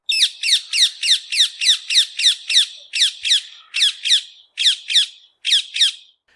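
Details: Rose-ringed (ring-necked) parakeet in Israel, heard early morning or evening: a rapid series of loud, harsh, squeaky-toy shrieks, about three or four per second, in short bursts with brief pauses.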